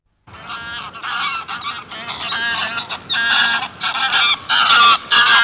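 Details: Greylag geese, a small flock giving flight calls from close range: loud, nasal, harmonic honks in rapid overlapping bursts, several per second, with brief gaps between bursts.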